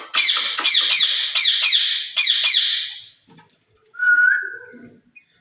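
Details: Caged rose-ringed parakeet, one of two said to talk to each other in Urdu and Hindi, gives about six harsh chattering syllables, then falls silent before a single clear rising whistle.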